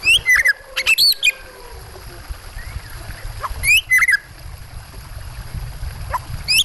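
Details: White-rumped shama over flowing water sounds: short groups of sharp, twisting whistles separated by pauses, with a constant low rushing murmur underneath.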